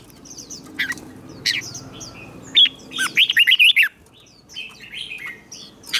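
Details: Red-whiskered bulbul singing for competition training: sharp scattered chirps and squeaks, a fast bright warbled phrase in the middle, then thinner high calls, over a faint low hum.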